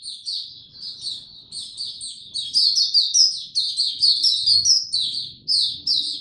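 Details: On a warm, very humid day a white-eye sings loudly: a rapid, continuous cascade of high, tinkling chirps and trills, building in intensity midway and flowing with only brief pauses.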